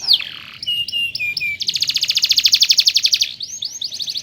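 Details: Master canary song for tutoring young canaries: a loud downward-sweeping whistle, a few clipped whistled notes, then a long rapid rolling trill and closing arched whistles.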